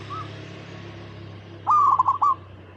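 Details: Local zebra dove in natural habitat, a recording meant to prompt other perkutut to sing: a brief faint coo, a pause over steady low hum, then one loud rapid stuttering burst of coos.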